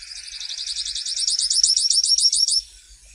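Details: Song of the grassland yellow finch, a rapid high-pitched trill of evenly spaced buzzy notes, steady for about two and a half seconds before stopping abruptly.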